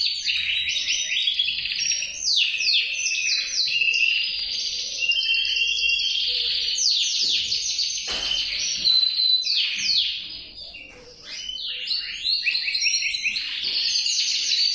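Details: Male canary in full song, a long unbroken stream of fast rolling trills, chattering sweeps and piercing sustained whistles, shifting phrase type every second or two, with a brief softer dip near the end.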